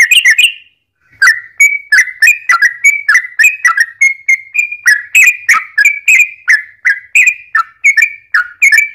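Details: Sooty-headed bulbul singing a long run of rich, liquid whistled notes for luring other bulbuls to respond; rapid steady sequence of bubbly phrases with slight pitch drops, after a short opening gap.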